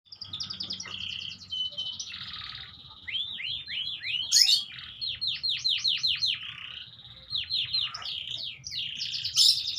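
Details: Canary song of rapid repeated rising and falling chirps, trills and sweeping whistled notes, loud and continuous with short pauses, a faint low hum underneath.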